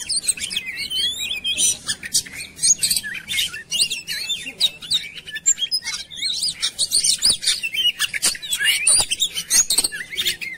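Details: Oriental magpie-robin in a compiled lure recording meant to get birds singing quickly and energetically; dense, high-pitched warbling with fast chirps, sweeping whistles and harsh notes, almost continuous for ten seconds, with overlapping phrases.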